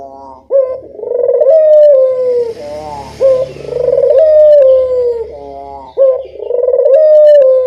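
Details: Lure recording of a local puter dove for prompting replies from other birds: loud repeated phrases, each a rising flick then a vibrating coo that slowly falls, about every two and a half seconds, over a soft low hum.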